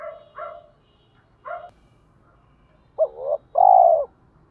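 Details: Spotted dove cooing in rustic style to attract wild doves to fight; a few soft higher coos, then one loud double note and long falling coo.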